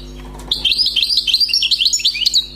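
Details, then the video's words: Newly caught wild European goldfinch singing: a rapid, unbroken run of bright, twittering chirps and short trills that ripple quickly up and down for about two seconds, with a steady low electrical hum underneath. "غناء حسون بري"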